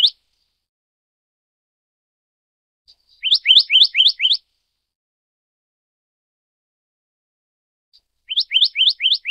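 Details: A Black-naped Monarch of the Taiwan endemic subspecies Hypothymis azurea oberholseri gives quick bursts of five or six high, ringing, upslurred notes, each burst opened by a soft single note, with silence between bursts.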